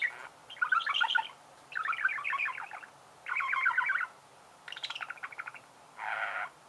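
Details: Budgerigar chirping in bursts: five rapid, rattling chatter phrases about a second long, separated by short silences.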